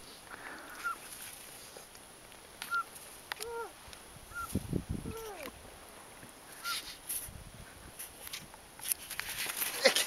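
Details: Canada jay on the summit of Mont Gosford on 2 January 2011, after people's food, gives about six soft, clear whistles, some slurring downward, spaced a second or two apart while people talk nearby.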